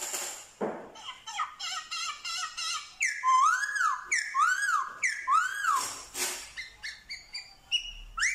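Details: Vietnamese Black-throated laughingthrush singing with imitations of dogs, cats and chickens, recorded 15/10/2021: fast chattering series of harmonic notes, then three loud arching whistles about one second apart, ending in short bright repeated notes.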